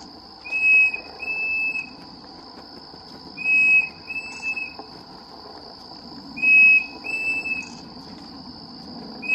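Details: Pavonine Cuckoo at Reserva Surucua Lodge, Misiones, Argentina, giving clear, high whistled notes in short phrases of two or three, repeated about every three seconds, over a steady, shrill cricket trill.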